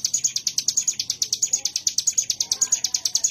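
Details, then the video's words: Ciblek gunung, a mountain prinia, delivering its 'wave shot' ngebren song: a steady rattle of very high, clipped notes, roughly eight per second, evenly loud throughout, with no other clear sounds. "Tembakan Gelombang Ciblek Gunung"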